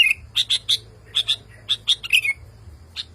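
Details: Male sooty-headed bulbul calling a female, agitated and restless on hearing other bulbuls sing; short bright chirps in quick pairs and clusters, ending with a slurred falling note and a lone final chirp, over a low hum.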